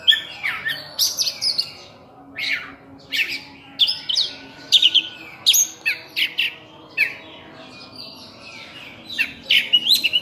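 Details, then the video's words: Kacer, the oriental magpie-robin, in lively full-filler song. Separate loud phrases come about once a second, mixing downslurred whistles with harsh, scratchy bursts. "Kacer Full Isian"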